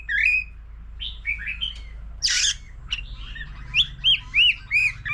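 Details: A mature wild-caught white-rumped shama sings with many voices in competition song beside a laughingthrush. High clear whistles and chirps come in separate phrases, with a rasping burst midway and four ringing notes at the end.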